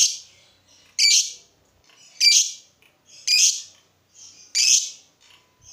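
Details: Lovebird calls meant to get other lovebirds singing: harsh, squawky high chirps, each about half a second long, given five times at roughly one-second gaps.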